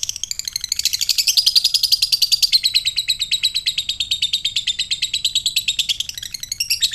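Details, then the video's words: Lovebird fighter in ngekek, meant to draw quick ngekek replies from other lovebirds; a long unbroken run of rapid, scratchy chirps at a steady fast pace, slightly rising then falling in pitch, lasting about six seconds before a brief pause. "Lovebird fighter ngetik NGEKEK koek,ampuh memancing lobet bahan cepat respon dan NGEKEK"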